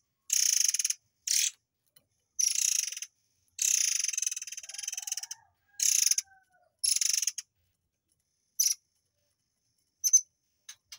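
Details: Tembakan-style song of a murai air, meant for tutoring white-rumped shamas: loud, rasping high buzzes in uneven bursts, some long and stuttering, with brief pauses and a few isolated clicks near the end.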